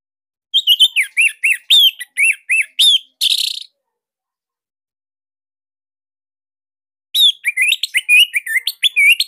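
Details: Caged orange-headed thrush from Bali, recorded as a master song for training other cage birds; bursts of loud, clipped whistled notes around 2–4k, repeated in quick phrases, a gap, then another rapid run of sharp notes.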